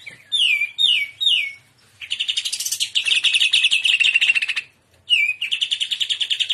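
Greater green leafbird singing three quick descending whistled phrases, then a long fast chattering trill, pausing and resuming with rapid rattling notes.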